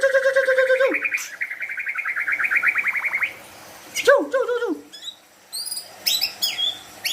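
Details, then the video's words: White-rumped shama song packed with imitated wild animal sounds: a long stuttering series of rising whistled notes, then clipped downslurred chirps and scattered high thin squeaks after a short pause. "Murai batu gacor full isian suara hewan liar"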